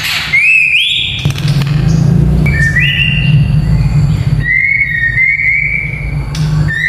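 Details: White-rumped shama fighter song used to train young males: clear rising whistles, then long flat whistled notes and short upslurs, over a constant low droning hum.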